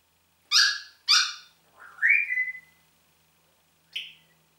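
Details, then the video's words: Pet Congo grey parrot, a talking bird, indoors: two loud harsh squawks in quick succession, then a rising whistle that flattens out, and a final short squeaky note. "sprechender Papagei"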